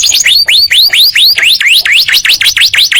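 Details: Continuous canary song from a yellow bird in 'ngekek panjang' style: a rolling series of quick, high upward-swooping whistles, about four to five per second, loud and unbroken.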